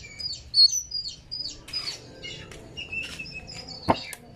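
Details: Oriental magpie-robin lure song meant to set off tail-opening and rapid chattering in a kept bird: scattered high chirps and whistled slurs, a burst of rustling, wing flutters, and a sharp click near the end.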